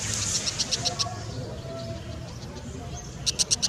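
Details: Brown Shrike giving rapid, harsh, high-pitched chattering notes at the start, a quiet gap, then another short quick burst of dry chak notes at the end.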